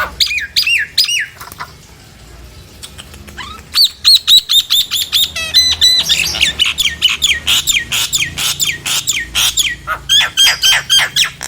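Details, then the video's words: Nias hill myna calling as a lure to make silent, lazy mynas answer and sing: loud varied bursts of harsh squawks, rising whistles and rapid clicking notes, with a short quiet gap near two seconds. "Tempel dan pancingJALAK NIAS ini agar jalak nias yang macet dan malas bunyi lngsung nyaut dan gacor!"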